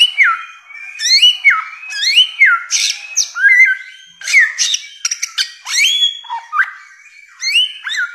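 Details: Samyong, the bare-throated whistler, in a long masteran track: loud, rich whistles that rise then drop sharply, repeated about once a second, mixed with sharp clicks and harsh squawky notes.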